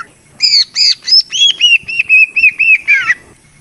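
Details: Greater green leafbird song for luring: a few doubled buzzy notes lead into a steady series of clear, slurred whistles, ending in a falling slur.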